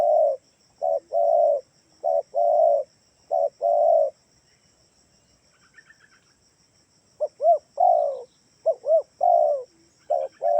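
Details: Spotted dove calling, played to draw answers from doves kept at home: a run of low husky coos, a short pause with faint chirps, then quick rising-falling double notes and longer coos, over a thin electronic whine.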